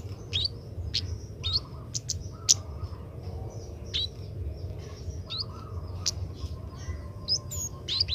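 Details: Young captive Oriental magpie-robin in training, rehearsing its song: repeated sharp high notes and short hooked whistles about every half second to second, sometimes in pairs, above a constant low rumble.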